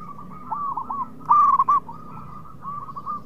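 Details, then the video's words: Zebra dove of local stock singing as a lure for fast-answering rivals: a continuous stream of curled cooing notes at one pitch, swelling into a loud rich phrase near the middle before softening. "PERKUTUT LOKAL GACOR BIANGANYA PANCINGAN LAWAN CEPAT NYAUT"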